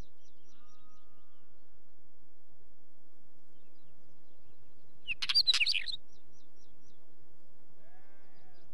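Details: One short Wheatear song phrase of about a second, a tangle of scratchy, warbled notes sliding up and down, set in near silence with faint regular high chirps from another bird.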